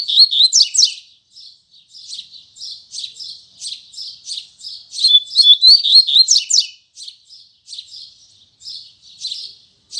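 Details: Double-collared seedeater singing the Braddock song, tui tui zel zel, firmly in the morning: loud opening phrase, then a long run of high chirps several per second, rising again to a loud whistled burst before softer notes.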